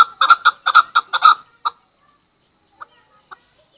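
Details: Chukar, a hunter chakor, giving a short fast burst of six or seven harsh clucking notes in just over a second, followed by quiet with a few faint isolated clucks.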